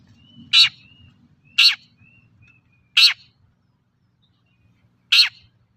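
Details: Raspy, explosive notes of a long-tailed shrike, a lure to get untrained birds singing: three bursts about a second apart, a pause, then a fourth, with faint whistles and a low rumble early on.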